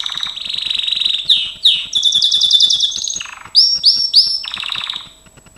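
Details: Trained Gloster canary in full song: a steady rolling trill, swooping whistles, a sharp buzzy tour, then three quick upswept notes repeated and a pulsed rattle, soft clicking in the background.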